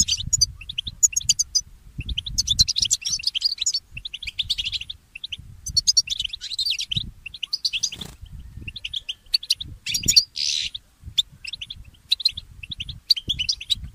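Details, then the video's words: Goldfinch mule in early-morning song, delivering repeated bursts of fast twittering, scratchy trills and sharp high chirps with brief gaps between phrases, accompanied by soft low knocking sounds. "The inspiring Motif of the Mule Goldfinch"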